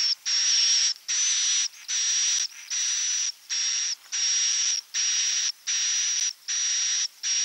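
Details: Swiftlet 'inap' (roosting) call: steady series of harsh, buzzy, hiss-like notes with a high whistled edge, each about half a second long, separated by short regular pauses.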